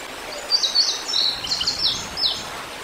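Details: Young bald eagle, fledged and about four months old, calling for its sibling by a river in Decorah, Iowa, early August 2022. Bright high squealing notes, several sliding downward, come in a loose burst over constant background hiss.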